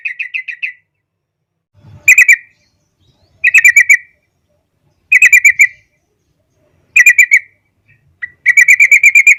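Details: Sooty-headed bulbul singing in full form for training young birds: loud bursts of rapid whistled notes repeated about every 1.7 seconds, closing with a sustained chattering trill.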